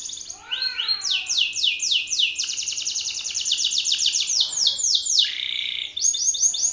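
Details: Belgian canary male sings boldly at a rival male, calling out an opponent. A long run of fast sweeping high trills gives way to a buzzy descending phrase, then a pause and a fresh trill.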